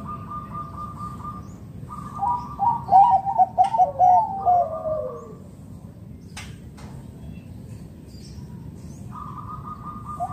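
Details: Local zebra dove calling to lure other doves into song: a burst of rapid stuttering coos ending in a falling slur, then quiet with a couple of clicks and a steady background hum.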